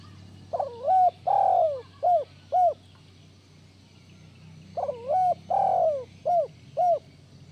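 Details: Strong-voiced spotted dove used to stimulate lazy doves, giving two matching phrases: a quavering lead-in coo, a long drawn coo sliding down, then two crisp short coos, against a low steady hum.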